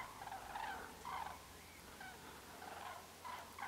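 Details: Common crane giving distinct trumpeting calls, loud rolling notes in short bursts separated by brief pauses, a low steady hum running underneath.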